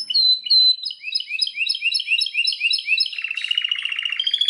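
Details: Belgian canary song made of rapid rising whistled phrases repeated about four times a second, ending in a fast lower rattling trill.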